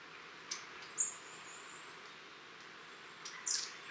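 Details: Flock of long-tailed tits visiting a garden, filmed 23 October 2015: a few very high, thin, short tseep notes, spaced irregularly over a faint steady background hiss.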